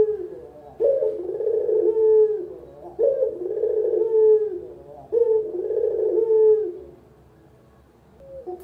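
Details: Spotted dove, local puter type, cooing for a lure recording: three throaty trembling phrases about two seconds apart, then a near-silent gap and the start of another.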